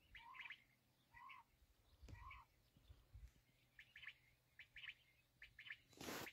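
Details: Kala teetar, the black francolin, giving harsh two-part phrases, a lower rising note with rasping chirps above, spaced about a second apart. A loud burst of noise ends the recording.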